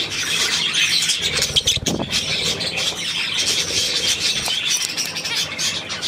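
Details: Budgerigar flock chattering in steady high scratchy warbles and chirps, with a brief dull thump partway through.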